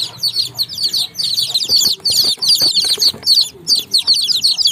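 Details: Baby chicks on a farm chirping in a dense, continuous chorus of high, short peeping notes that overlap rapidly, with soft rustling and faint low thumps underneath.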